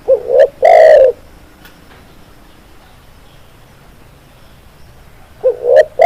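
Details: Spotted dove cooing on a tutor recording for cage birds. One full phrase of a wavering double note and a long, deep coo is followed by about four seconds of quiet, then the next phrase begins.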